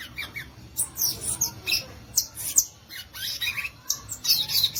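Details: Violaceous euphonia (guriatã) in varied, squeaky song, with rapid downslurred and rising notes tumbling over one another without a break.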